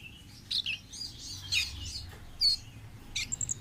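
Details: Wild-type orange-headed thrush delivering a jumbled run of varied chirps, slurred whistles and short trills in quick succession, with one clear piercing note near the middle and a low rumbling background.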